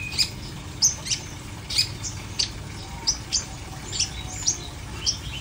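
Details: Long-tailed shrike giving spaced, harsh high chirps, about one every half second, each a brief descending rasp, over a quiet hum.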